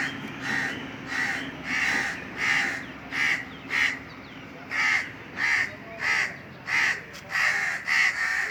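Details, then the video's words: Indian crows cawing from a treetop on a very hot summer day: harsh, hoarse caws repeated steadily, about thirteen in a row with short gaps, over a faint background hum. "Indian Crows cawing"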